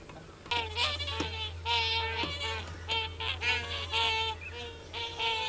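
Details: Common cranes giving a continuous run of loud, ringing, strongly harmonic trumpeting notes, several birds overlapping in a rolling chorus, with a constant low hum underneath.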